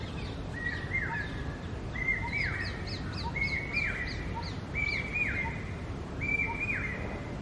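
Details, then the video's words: Common hawk-cuckoo, the brain fever bird, repeats strident whistled three-note phrases about every one and a half seconds, while other birds add thin, high, rapid chirps and a low background rumble runs throughout. "Cuckoo Bird Singing Compilations"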